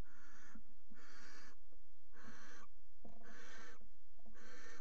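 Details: Barn owl pair mating on the rim of a nest box in the Axel water tower, 5 February 2018: five harsh, broadband hissing screeches, each about half a second, coming roughly once a second with faint low hum beneath.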